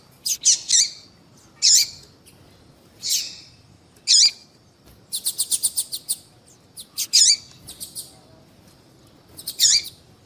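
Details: Female double-collared seedeater call used to get males singing: scattered high, sharp chirps every second or two with a quick buzzy rattle midway.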